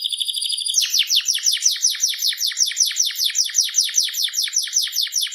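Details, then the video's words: Vigorously singing canary of the seri FI line: a steady high trill breaks into a long rhythmic run of sharp downswept chirps repeated about three times a second. "BURUNG KENARI SERI FI GACOR"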